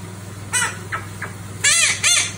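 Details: A tame pet red-shouldered macaw (Ara nobilis), one of a pair, gives harsh, grating screeches, one short and then two louder ones close together near the end, over a low background hum; its screech is said to be small for a macaw.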